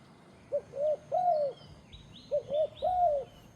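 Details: Turtle dove giving two soft cooing phrases, each a clipped opening note then two smooth, rounded longer coos, with faint high twittering of other birds behind.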